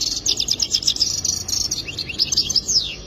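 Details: High twittering goldfinch song: fast tinkling trill followed by several sharp downward-slurred and rising notes, delivered in a quick bright sequence with faint low background noise.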